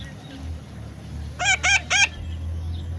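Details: A baby parrot utters three harsh, buzzy squawks in about half a second, evenly spaced, as a person coaxes it; steady room hum underneath.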